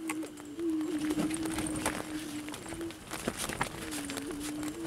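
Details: Low, sustained hooting tones from wild prairie chickens in Kansas near Salina run almost unbroken, overlaid by crackling clicks and rustle.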